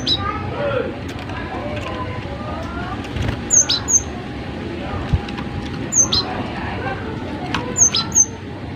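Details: Actively singing Cinereous tit on a tutor recording meant to prompt other birds to sing: high thin whistles in twos, spaced a few seconds apart, over constant low rumble and faint lower chirps.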